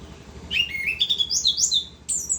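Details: Orange-headed thrush delivering its continuous 'ngerol' song, a fluid chain of rising whistled phrases climbing steadily higher, ending in a thin, very high sweeping note.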